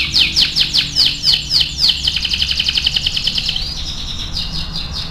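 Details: AF canary singing energetically for song training: a series of loud descending chirps, then a very rapid even trill that slows into softer spaced notes.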